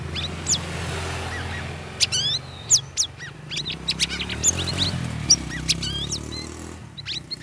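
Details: Caged sooty-headed bulbul in the third week of group-cage care, singing in the ngeriwik ngeplong style: quick bright chirps and sharply rising and falling whistled notes, uneven and busy, over a steady low hum.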